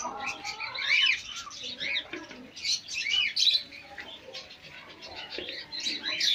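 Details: Pet chickens, hens with chicks, produce busy high chirping: quick, sharply bent peeps in irregular bursts, stronger in the first half and fading to lighter cheeps later.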